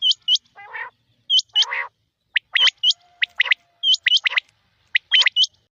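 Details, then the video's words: Male and female quail in the rain: rapid pairs of high hooked whistles mixed with short harsh raspy notes and buzzy lower calls, in irregular bursts. "Rain Male Female Quail Beautiful Sounds"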